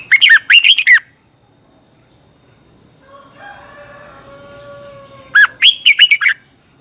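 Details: Red-whiskered bulbul singing in the energetic 'căng lửa' style, a training song meant to teach other birds: two brisk phrases of chirpy slurred whistles, one at the start and one at the end, with a faint drawn-out crow-like sound and steady high whine between.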